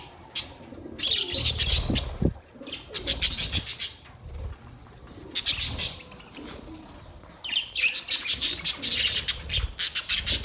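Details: Several budgies chirping in loud clustered bursts of rapid, buzzy high chatter, separated by brief quieter pauses with faint squeaks, plus a few low thuds.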